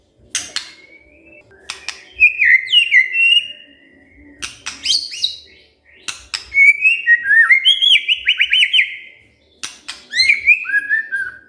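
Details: Provoked white-rumped shama answering with varied song: warbled whistles, quick chattering phrases and downslurred notes in several bursts, separated by sharp clicking sounds.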